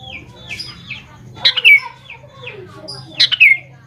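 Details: Sooty-headed bulbul singing as a lure to prompt young birds to respond: two loud, gurgling phrases of quick descending notes about two seconds apart, with softer slurred whistles and chirps filling the gaps over a low hum.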